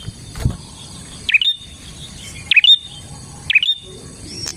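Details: Bar-winged prinia, played to attract other prinias: three sharp down-up chirps ending in a thin whistle, spaced roughly every 1.2 seconds, after a soft thump at the start, over a faint hiss.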